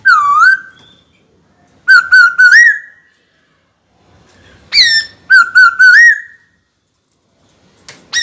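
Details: White-cheeked laughingthrush in a cage singing to challenge a rival: loud, rich whistled phrases of wavering and rising notes, repeated in spaced bursts with silent gaps between.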